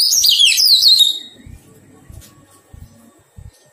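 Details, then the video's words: Wild-caught Oriental magpie-robin being tamed gives a brief, dense burst of high warbled notes lasting about a second, followed by quiet with soft low knocks. "Thuần hóa chòe than bổi"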